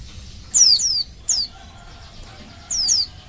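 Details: A female Oriental white-eye calls out to males, luring them into song: a quick pair of high down-slurred whistles, one single note, a pause, then another rapid pair.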